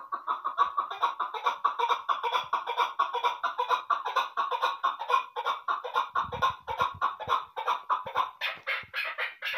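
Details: Female chukar partridge, a fighter bird kept for hunting, calling indoors: a rapid, continuous stream of clucking, chattering notes, about two per second, growing louder and harsher toward the end, with some thumping handling noise.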